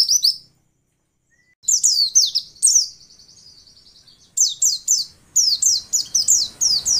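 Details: High, sharp downslurred chirps from a female white-eye, used to coax lazy males into singing. A short burst, a pause of about a second, then a fast twittering series and repeated paired notes.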